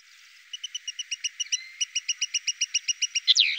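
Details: Goldfinch from the Llanura Manchega near Tablas de Daimiel and Villarrubia, Spain, giving a steady train of short, evenly spaced high ticking notes, about six per second, ending in a louder upslurred note.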